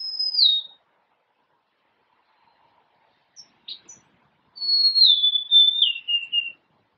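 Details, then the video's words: Golden-crowned sparrow song: the tail of a high whistle opens the clip, then after a pause comes a full, clear descending phrase of sliding whistled notes, with a few soft chips between. "Natural Birds Voice, Bird Natural Sound.Golden crowned Sparrow."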